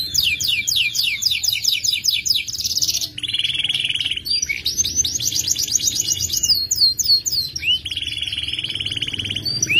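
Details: Kenari F2 YS canary delivering a long trill ('ngerek panjang') with a sharp, rich voice: rapid high rattling trills alternate with sustained buzzy rolls and quick whistled sweeps, switching phrases every few seconds, loud and clean.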